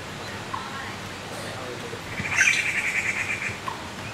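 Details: Fledgling Taiwan blue magpies begging for food in a Taipei park on Yangmingshan. A rough, buzzy run of rapid rasping notes lasts about a second and a half after quieter faint chirps, over constant hiss.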